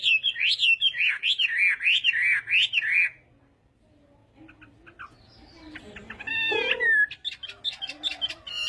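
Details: Chinese hwamei in fighting-style morning song for voice training: about three seconds of loud, looping whistled phrases repeated rapidly, then a quieter pause followed by softer scattered chirps and a burst of varied notes.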